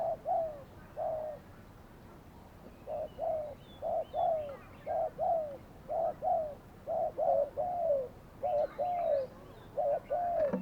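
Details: Decoy spotted dove used to catch wild doves; after a short pause, a long continuous string of low coos, brief doubled notes alternating with longer drooping croons, some faint higher chirps of other birds.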